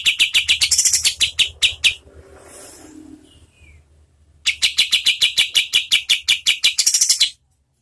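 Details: Tutor song of a kapas tembak (oriental white-eye) for competition birds, at medium speed. Rapid, high chirps repeat in a steady stream, pause for a moment of soft noise and a brief slurred note, then resume just as fast.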